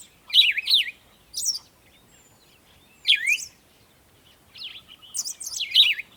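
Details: Birds chirping at sunrise in the morning: loud bursts of rapid zigzag whistled notes, each phrase about half a second long, repeated every one to two seconds, in otherwise quiet surroundings.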